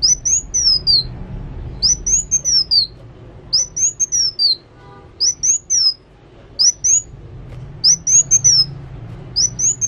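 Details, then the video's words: Sunbird singing persistently: bursts of very high, sharp, descending whistled notes in short strings, repeated roughly every second or two over a low background hum. "Kolibri Wulung Gacor"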